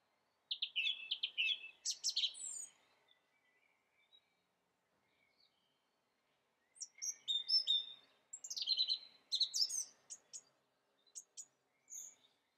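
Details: Song thrush singing: bursts of sharp, high, varied notes in short phrases, each note repeated several times in quick succession, one bout, then a pause of about four seconds, then a longer second bout, against a silent background.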